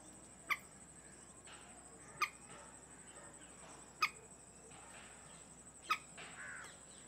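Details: Indian moorhen incubating a clutch of five eggs in a reed-bed at a created wetland in New Delhi: four short, sharp notes about every two seconds, over a steady high insect whine and soft hiss.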